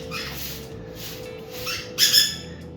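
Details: Pet parrots being let out into a large home aviary for the first time, after heavy rain, give harsh, raspy alarm squawks in four quick bursts, the last loudest, over soft background music.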